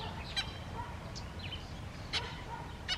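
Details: A very vocal Natal spurfowl gives harsh, grating cackles in short bursts, irregularly spaced about a second apart, over a low steady rumble.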